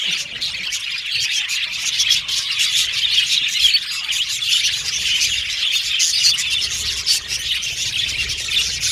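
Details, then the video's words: Many budgerigars in an aviary colony keep up a constant high, chattering twitter, scratchy chirps and short warbles overlapping densely, steady in loudness from start to finish. "Beautiful Budgies Chirping Sound"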